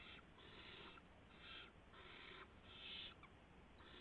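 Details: Barn owls in a nest with owlets, 3:10 AM, March 16, 2016, when a gopher is brought in: rasping, breathy hisses about half a second to a second long, coming in a fairly even series of five or six.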